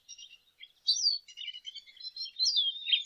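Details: High, varied twittering from a lesser goldfinch: thin slurred whistles and buzzy chirps run together almost without pause, growing louder toward the end.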